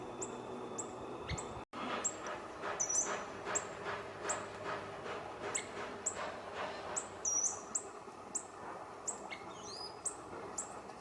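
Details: Female Little Woodpecker, Veniliornis passerinus taenionotus, at Teresina, MA, Brazil, on 7 January 2026: very high, short downslurred chips repeated irregularly, some doubled, over a steady low background hum and brief faint lower notes.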